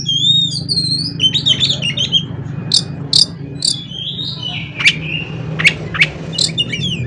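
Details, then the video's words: Oriental magpie-robin (kacer) singing to provoke other birds: a fast jumble of high twittering and sliding whistles, then separate sharp piercing notes, over constant low background hum. "CUKUP DENGAN SUARA KACER INI, KACER LAIN JADI GACOR"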